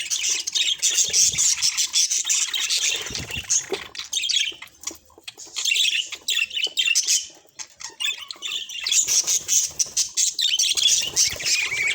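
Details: Budgerigars warble and squawk in high, scratchy phrases, broken by a few short lulls and resuming in busy, overlapping bursts of chirps.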